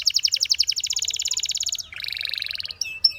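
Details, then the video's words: Belgian canary: a long fast pulsed trill, a brief low buzzy dip, then a higher even trill and a couple of sharp notes. "Canary Singing Bird Sounds - Belgian Canary Singing"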